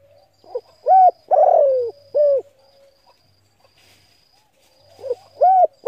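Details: Spotted dove coo for luring and stimulating decoy birds. A quick soft pickup note, then an arched coo, a long rasping coo falling in pitch and a short arched coo. After a pause the next phrase begins, with a faint whine behind.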